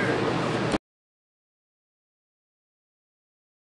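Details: A brief burst of loud broadband noise lasting under a second, then silence for the rest.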